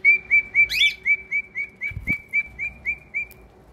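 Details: Pet cockatiel giving a fast, evenly spaced run of about fourteen short high chirps, roughly four per second, with one brief louder squeak partway through.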